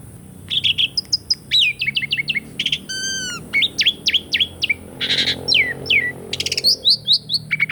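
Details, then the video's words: Asian pied starling singing, recorded to stimulate silent caged starlings: quick repeated whistled slurs, rising and falling sweeps, a harmonic rising note near three seconds, rattling bursts and clicks in a busy, varied sequence over faint low hum. "PANCINGAN SUARA BURUNG JALAK SUREN ( TERAPI JALAK MACET BUNYI ATAUPUN JALAK BAHAN )"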